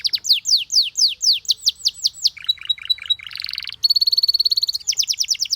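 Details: Canary singing so other canaries will chirp. A run of falling chirps repeated about five per second gives way to clipped notes over a thin whistle, a buzzy roll, a long high whistle and more swooping chirps.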